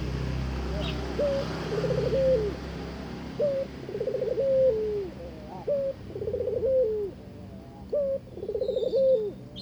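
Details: Barbary dove given a mate and inviting it to mate: a short level note, a trembling rolled middle, then a long falling coo, repeated about every two seconds with a low hum beneath.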